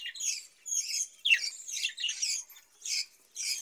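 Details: Caged budgerigars kept for breeding, warbling in bursts of scratchy, buzzy chirps about half a second long, with short pauses between phrases.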